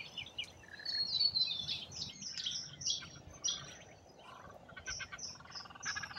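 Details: Rainbow lorikeets feed in Australia, calling in sharp, high screeches and squeaks. A whistled slur opens the sequence, then broken bursts follow, and rapid rattling clicks run through the closing seconds.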